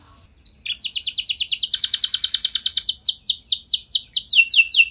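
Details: A canary sings in gacor style to coax other canaries into song. After a quiet start a dense, buzzy rapid trill begins, then gives way to slower, repeated downslurred notes.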